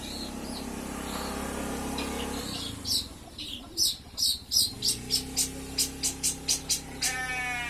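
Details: Caged long-tailed shrike (cendet) being sunned, recorded about a month before 30 October 2020: a goat bleats at first, then the bird delivers a steady run of sharp, high, evenly spaced notes over background hum.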